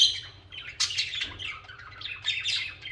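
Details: Budgerigars, kept as social pet birds, singing and chirping: busy high warbling chatter with squawky notes and bright chirps overlapping through the whole stretch, several birds seemingly calling at once.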